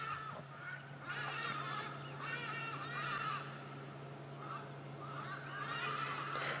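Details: Hadeda ibises heard at dawn in the African bush on a safari drive, 18 August 2016: loud, harsh, nasal honking calls in several bursts, with a steady low engine hum underneath.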